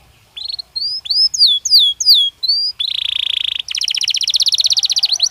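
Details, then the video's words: Belgian canary singing naturally, the recording meant for training other canaries to sing: clear whistled notes sliding down, then a fast buzzy rolling trill and a rapid high repeated trill. "Canario Belga Cantando Naturalmente"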